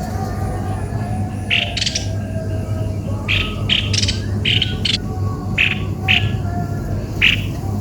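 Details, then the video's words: Cucak kopi-kopi giving harsh, squawking bursts, described as strange-sounding, about seven calls spaced roughly half a second to a second apart over a steady low hum. "begini suara burung Cucak kopi - kopi"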